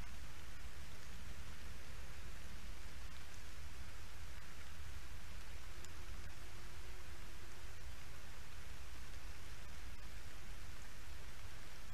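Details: Steady broadband rustling and low rumble like rain or wind, with no animal calls.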